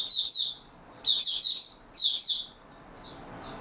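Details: Singing caged Oriental white-eye, stable form, 28 February 2022: three lively bursts of shrill, tumbling chirps about a second apart, trailing into fainter, thin whistled notes.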